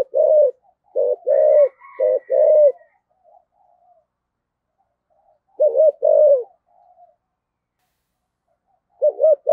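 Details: A decoy spotted dove, 'giọng thổ' voice, cooing and calling. A quick run of four or five low hooted coos, then softer murmurs. Two shorter coo bursts follow some seconds apart, with faint higher overtones early on.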